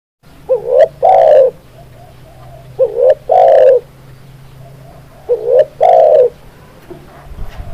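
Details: Spotted dove cooing: three phrases, each a short rising double note followed by a long, rough, level coo, spaced about two and a half seconds apart over a low steady hum.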